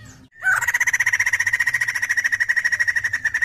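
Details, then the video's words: After a brief silence, a white-crested laughingthrush launches into one unbroken run of fast, evenly pulsed ringing notes, loud and rich, lasting to the end. "PANCINGAN BUNYI POKSAY JAMBUL GACOR"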